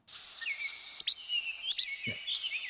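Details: Least Flycatcher, a common bird of forested areas in Canada, giving two dry, snappy two-part "che-bek" songs less than a second apart, over thin, high whistles of other birds in the background.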